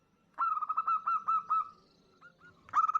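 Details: Local female zebra dove calling a male, used as a lure: a brief run of about six quick coo notes, a pause with two faint notes, then a louder renewed burst.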